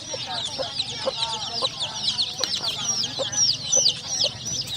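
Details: Many colourful chicks peeping together: a dense, continuous wash of overlapping high falling peeps over a steady low background hum.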